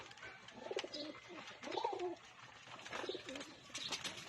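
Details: Pigeons being fed give low, throaty, rolling coos in short bursts about a second apart, over rustling noise and a few faint higher chirps.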